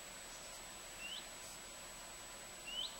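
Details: Common redstart sitting in a garden bush, southern Sweden, late August 2014; two soft rising whistled notes about one and a half seconds apart against low steady hiss.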